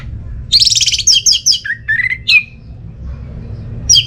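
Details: Orange-headed thrush song played to spur silent birds at home into song: a dense burst of high buzzy trilled notes, then lower slurred whistles falling in pitch, with a low background rumble.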